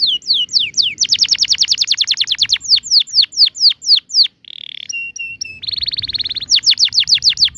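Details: Canary singing a long, lively rolling song (ngerol) with 'tembakan' bursts, used to coax young canaries into learning to sing: fast runs of descending whistled sweeps, several per second, broken by a buzzy rattle and short clipped notes before the sweeps resume.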